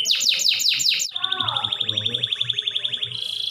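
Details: Canary singing to prompt others to sing along: a few loud descending chirps followed by a long even rapid trill and a closing buzzy note.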